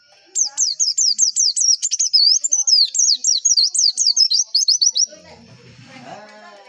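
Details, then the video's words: Lure song of a white-eye for training competition birds: a long rapid series of high, sharply down-slurred whistles with a few wavering notes, about three per second, trailing into faint low chatter. "PANCINGAN PLECI AGAR CEPET BUKA PARUH"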